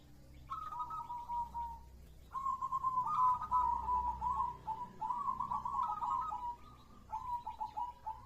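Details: Zebra dove, a local perkutut, cooing in a run of fast, slightly descending phrases. Each phrase is made of clipped notes and they follow one another closely over eight seconds, with faint background hum.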